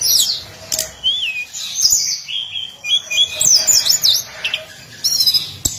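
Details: Daily song of a hill blue flycatcher (tledekan gunung): rapid high twittering and sweet whistled slurs, short bright phrases tumbling one after another with small gaps, plus a few sharp clicks.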